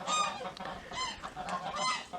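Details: Captive Chukar partridges in a spacious aviary, calling as the sun comes out after snowfall; loud, harmonic, nasal honking notes in rapid bursts, roughly three or four call groups within about two seconds.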